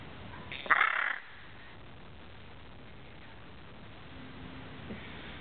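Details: A pet Hyacinth macaw playing on a couch indoors at night gives a single loud, harsh, grating squawk lasting about half a second, followed by quiet room noise and a faint low hum.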